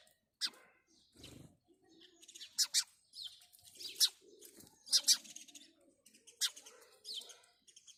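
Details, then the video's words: House sparrow giving separate sharp, high chirps every second or so, with some softer, lower notes in between. "house sparrow birds call | house sparrow sound | house sparrow chirping"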